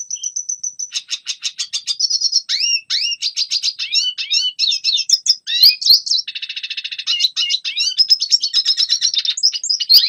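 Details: Red siskin singing to instruct young birds: a steady high whistle, then a long varied sequence of fast twitters, upslurred chirps and a buzzy trill segment, continuous and high-pitched throughout.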